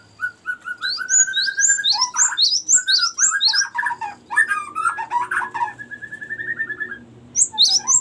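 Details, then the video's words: Cinereous tit singing a long rolling song used as bait for the species and as a master song. Rapid high notes mix with steady lower trills and slurred phrases, almost unbroken for eight seconds. "ngerol panjang sangat bagus untuk pancingan gelatik batu dan masteran"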